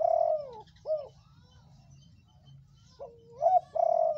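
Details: Reddish-coloured spotted dove used as a lure to draw other doves into calling, giving mellow, steady coos broken by short hooked notes, with a soft pause in the middle and a quiet low background hum.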